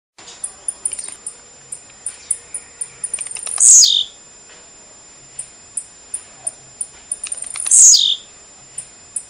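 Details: Blue-black grassquit song played to stimulate and teach a kept bird to sing: sharp high ticks spaced through the clip, twice broken by a loud buzzy downward-sweeping note about half a second long, roughly four seconds apart.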